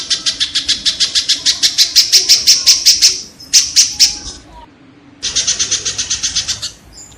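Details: Kingfisher, used as tutor audio for competition songbirds, calling in fast runs of rasping broadband notes, roughly three each second, building in loudness, then a break and a second shorter run.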